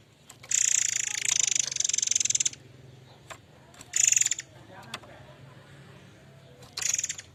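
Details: Murai air mancur singing vigorously: a long two-second stream of harsh, rapidly pulsed high notes, then two shorter rattling bursts with a few isolated chirps between, over steady low hum.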